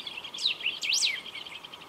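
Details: Golden-billed saltator singing at Esperanza, Argentina, in 2019: a short phrase of loud, clear whistled notes that swoop up and down, with a steady insect hum beneath.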